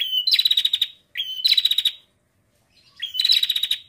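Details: A female bar-winged prinia, used to lure males into singing, gives three high bursts, each a brief rising whistle then a fast run of sharp, pulsing notes; clean with no other sounds.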